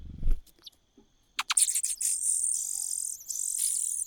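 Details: Clicks and a low thump open, then a cuckoo in the nest breaks into a sustained high, sizzling hiss lasting over two seconds with a short pause.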